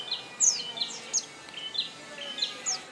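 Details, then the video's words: Short burst of oriental white-eye song, bright high chirps and slurred whistles spaced a fraction of a second apart, over low steady noise. "Kicau Burung Pleci Kacamata"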